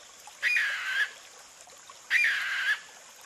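Sri Lanka frogmouth giving two harsh, rasping, slightly falling buzzes, each about half a second long and spaced under two seconds apart, over a faint background hiss.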